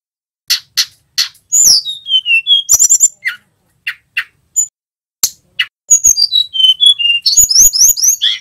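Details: Male tledekan gunung flowerpecker song: spaced sharp ticks lead into a falling series of clean whistles, then more ticks and a final lively run of rising and falling whistled slurs.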